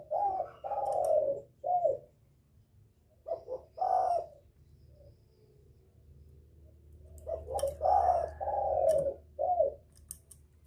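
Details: Spotted dove lure call aimed at drawing a male: clusters of hoarse coos with long drawn descending notes, a quiet gap, then another series, over a persistent low rumbling background.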